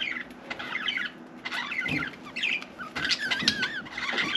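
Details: Pet budgerigar chattering as if wanting to talk, giving a busy warble of rapid wavering chirps and squeaky twittering notes.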